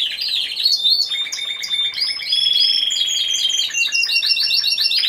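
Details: Timbrado Español canary competing in category C2 individual at a November 2015 contest: continuous rolling song moving from a high trill into lower rattling tours and a long sustained metallic roll, closing with quick repeated high notes.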